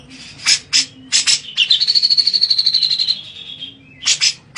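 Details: Grey-cheeked bulbul singing while bathing, used to draw answers from other birds: sharp bright chirps in bursts, then a long steady high trill lasting about two seconds, followed by more short loud chirps.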